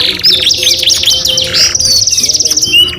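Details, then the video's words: Singing canary delivering dense, rapid trills and rolling buzzy phrases that lead into a long sustained high rattle, with faint music underneath. "KENARI GACOR 2 IN 1 | CANARY SINGING"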